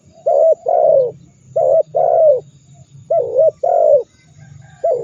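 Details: Repeated phrases from a tekukur, or spotted dove, meant to stir rivals into cooing angrily: paired notes where a short coo leads into a longer falling one, three rounds in a row over a low droning hum.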